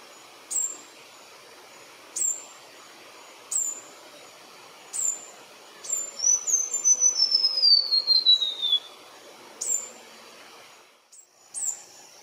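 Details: White-browed warbler song: an ethereal series of liquid, crystalline whistled notes that start very high and step steadily downward over about three seconds. Short, sharp high chips repeat every second or two throughout.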